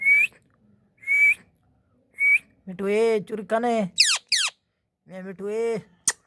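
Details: Indian ringneck parakeet, kept as a talking pet, giving three short rising whistles spaced about a second apart, then a run of harmonic, voice-like babbling and two sharp descending squawks.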